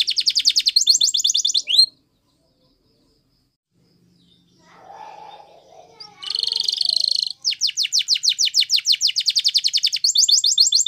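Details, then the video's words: Yellow Spanish Timbrado canary singing a training song: rapid metallic rolling trill, about two seconds of silence, faint low murmuring, then a loud buzzy roll followed by quick repeated rising notes. "Canary Bird Song For Training"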